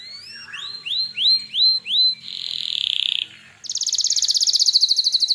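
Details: Canary 'gacor' song used to provoke other canaries to reply; repeated rising upswept whistles about three per second, then a buzzy trill, a short pause and a very high, fast pulsing rattle.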